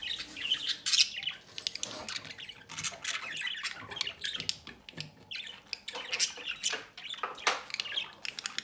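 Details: Pet budgerigar pair feeding their chicks from the nest door. Dense, noisy, scratchy squawking and chattering goes on almost nonstop, with sharp clicks.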